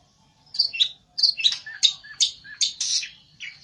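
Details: Olive-backed tailorbird, called pelentet, singing agitatedly as it seeks a rival: a run of sharp, high chipping notes, some paired and slurred downward, delivered in quick bursts after a short pause, loud over a quiet background.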